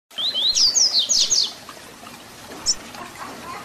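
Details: Double-collared seedeater (papa-capim) singing the Tui Tui Zel Zel fibra song, used for teaching young birds: one rapid phrase of high, rising and sharply falling whistled notes over about a second, then a single faint note.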